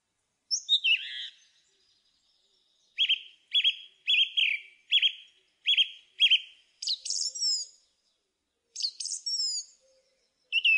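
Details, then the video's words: Song thrush delivering a high slurred opening, then a clear, slightly buzzy note repeated six times at even intervals, before squeaky high twittering phrases and a final short whistle. "Thrush bird song"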